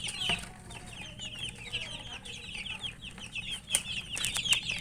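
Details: Chicken chicks feeding and peeping together, a busy stream of thin, high, falling chirps from several birds, broken by occasional sharp clicking knocks.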